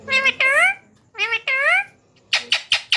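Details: Rose-ringed parakeet chicks at feeding time: two drawn-out, rising-then-falling harmonic squeals, followed by four short harsh rasping bursts, recorded indoors at close range.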